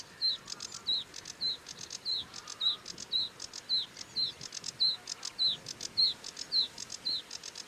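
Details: Sedge warbler repeating a sharp, downward-slurred note roughly every half second, each alternating with a short dry buzzy rattle, in a steady rhythmic pattern.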